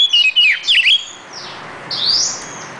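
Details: Oriental magpie-robin singing a short burst of quick twisting high whistles, then a pause and a thin rising whistle, with faint background hiss.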